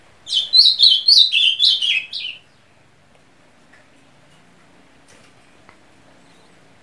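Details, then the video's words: Ultramarine grosbeak song: a rapid run of about seven sweet whistled notes, each sliding down, packed into two seconds. The notes step lower toward the end. The phrase is followed by several seconds of near silence. "Que Canto é Desse Azulão?"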